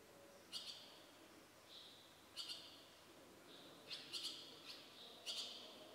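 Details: Barn swallow (Hirundo rustica) chicks begging. High, scratchy twittering comes in bursts, four or five short outbursts every second or two, over a faint hiss.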